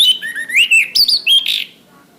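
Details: Orange-headed thrush, a caged-bird training song: a loud, varied run of whistled and sliding phrases that rise and fall, with quick twittering notes and a harsh burst at the end before a quiet background.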